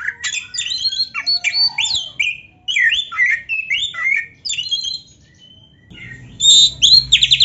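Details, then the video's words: Oriental magpie-robin in full, rich-filled song, used to fire up other magpie-robins. Varied whistled phrases, rising and falling slurs and scratchy notes follow quickly. Near the end, louder sharp chirps and a buzzy trill sound over low background noise. "MASTERAN KACER GACOR ISIAN MEWAH ‼️ - AMPUH BIKIN KACER LAIN CEPAT PANAS"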